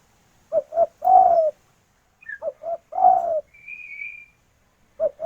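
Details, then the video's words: Calling to a male, a local female spotted dove gives two short coos and a long downward coo, twice, with a thin high whistle from another bird in between. "Derkuku Betina Memanggil Jantan"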